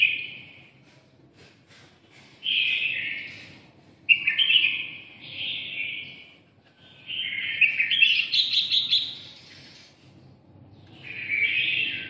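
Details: A red-whiskered bulbul from Nghe An province pours out a series of chattering, warbling phrases, some trilled and rapid, spaced a second or two apart over a quiet background.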